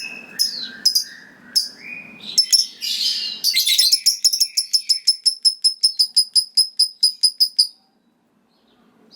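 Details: Lovebird giving a long trilling song meant to provoke rival lovebirds into answering: squeaky chatter and rising whistles, then a long run of evenly spaced sharp high notes, about three per second, stopping abruptly.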